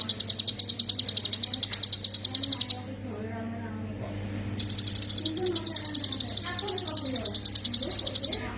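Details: Master recording of a hill prinia in ngebren style for songbird training: a rapid, high-pitched chipping run, a roughly two-second lull with low background sound, then a long renewed stream of quick, even notes.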